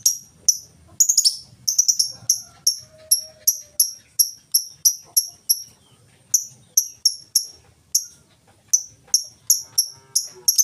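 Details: Lovebird in continuous ngetik ticking, no ngekek, serving as a lure for other lovebirds: a dense run of about thirty shrill high ticks, often in quick doubles and triples, with a brief gap midway.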